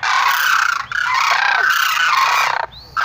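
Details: Sarus crane giving a sustained, harsh, nasal trumpet that breaks briefly and resumes, ending with a rising note.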